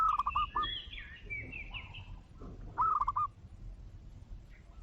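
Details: Zebra dove giving two short, fast, stuttering trills of cooing notes about three seconds apart. Higher chattering calls from other birds overlap, and a low rumbling noise runs underneath.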